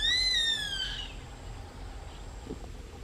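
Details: Male white-eyed buzzard calling during a pair's mating display, trying to entice the female: a clear, plaintive whistled note arching gently and sliding downward, fading after about a second into quiet background hiss.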